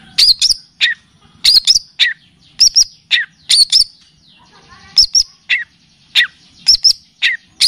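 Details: Long-tailed shrike (cendet) singing on a recording made to tutor birds and provoke song, full of kapas tembak and cililin phrases: sharp, chattering paired notes, high and squeaky, repeated steadily with short pauses.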